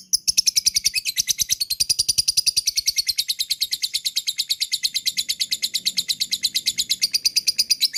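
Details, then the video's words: Lovebird chattering (ngekek), a recording used to draw other lovebirds into chattering: a fast, unbroken stream of sharp high chirps, about seven per second, sustained for the whole eight seconds with little change in pitch. "MP3 LOVEBIRD ngekek, diamkan pakai pancingan ini auto ngekek"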